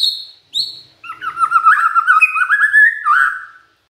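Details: Magpie-robin; song; provoking other magpie-robins to respond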